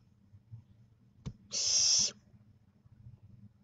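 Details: Young barn owl owlets at day 25, shedding their down, produce one harsh breathy hiss of about half a second after a sharp click, with a low hum beneath.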